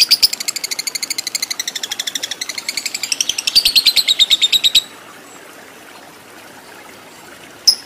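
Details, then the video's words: Lovebird performing the long ngekek chatter prized in fighter birds; a fast run of shrill, buzzy chirps lasting nearly five seconds, rising in intensity then stopping abruptly, followed by near silence and one final chirp. "Lovebird Fighter Ngekek Panjang"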